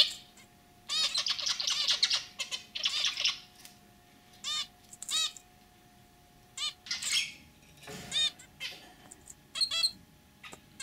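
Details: Domestic zebra finches, a male and a white female, alternate bursts of scratchy, buzzing chatter with single nasal toy-trumpet beeps, the busy phrases coming in two clusters before scattered calls.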